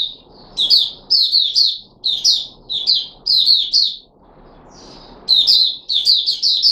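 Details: Puteh Raja red-whiskered bulbul, a caged bird in a feeding experiment with fruit juice and one mealworm, 13 April 2021: clusters of sharp, quickly slurred notes in rhythmic bursts, one longer pause midway, light hiss beneath.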